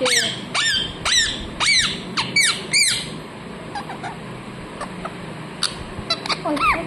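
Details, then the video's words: Pet parrot gives six rapid, harsh squawks in the first three seconds, each sharply rising and falling, then fades to sparse soft chirps and clicks with quiet background noise. "मिट्ठू मिट्ठू बोलने वाला तोता | the parrot that says mithu mithu"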